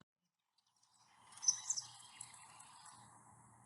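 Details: A male House Wren sings in Norris Woods, a spring woodland in May, declaring and defending his territory while building stick nests in birdhouses: a rapid, bubbly, jumbled cascade of high chattering notes, loudest near its start, over a faint low hum.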